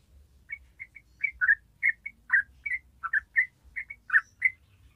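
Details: Yellow-vented bulbul chattering in 'gacor ropel' style: a series of about a dozen rich, bubbling notes at uneven intervals, slightly fuller and lower-toned in the middle, with faint low background rumble.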